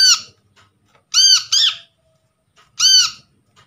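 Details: Untrained, wild-caught brown-throated sunbird used as a lure to stir silent birds into calling: a harsh chirp, then a quick doubled note, then another chirp, each sharp, arched and rasping, over a faint indoor hum.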